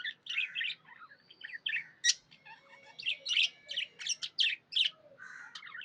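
A budgerigar chatters in quick, high chirps and warbles, the cheerful sound of a contented bird.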